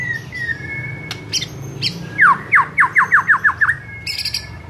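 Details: A white-rumped shama in a master training recording delivers a rapid series of about eight downward-slurred whistled notes, evenly spaced, after a few softer sliding whistles, with a constant low hum in the background.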